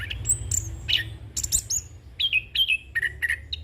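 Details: Rolling song of a young orange-headed thrush, played as a training and lure recording: high whistled slides open the clip, then short clear notes fall in pitch and repeat in a brisk, uneven series over faint background hum.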